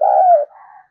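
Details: Decoy spotted dove used for luring. One short, deep, throaty coo slides gently downward, then a softer low tail note.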